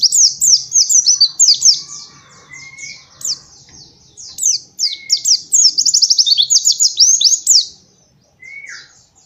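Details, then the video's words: White-eye master song used for training young birds: rapid, high twittering chirps in dense bursts, with short pauses between runs and a few thin drawn-out whistles. "Pancingan Pleci Bikin Emosi 100% nyaut ikutan ngalas Nembak!!!"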